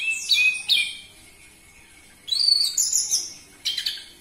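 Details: Loud orange-headed thrush song meant to provoke captive birds into singing: short bursts of high, sweeping whistled notes separated by pauses of over a second, with a faint steady hum underneath.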